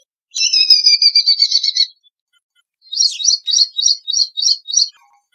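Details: Ashy prinia, a small slim bird of Rajasthan, India. A buzzy, slightly falling note lasts about one and a half seconds, then after a pause comes a series of seven crisp high chirps at a steady pace, with a quiet setting.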